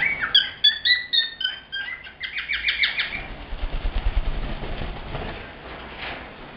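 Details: Male cockatiel, a pet, sings in typical male fashion: about three seconds of quick squawky whistled notes, then fading chatter over a low rumbling background.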